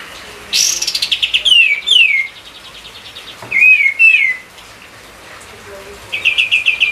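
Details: Spirited white-eye song used to stir other songbirds: a quick rattle of chips leads into sliding whistles, then a wavering twitter, a pause, and another fast run of repeated chips.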